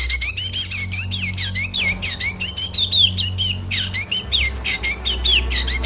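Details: Fast, insistent chatter from a Javan black drongo, meant to stir birds in moult: nearly continuous harsh, swooping squawks and twisted whistled notes, two to three a second, briefly pausing midway, over low hum.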